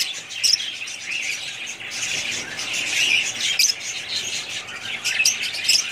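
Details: Budgie family chatter: high, gritty warbling overlaid with short whistled chirps and clicks at irregular moments.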